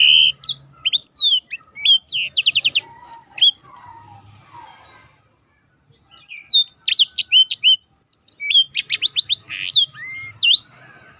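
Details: Black-throated canary kept as a contest-training singer, pouring out fast high whistled sweeps and rattling trills, going silent for about a second, then resuming with an equally dense phrase.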